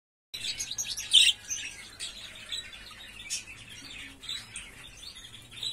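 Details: A young European goldfinch in its song-learning stage (2021) twitters a rambling, high-pitched practice song of thin tinkling notes and brief buzzy trills, with soft background hum.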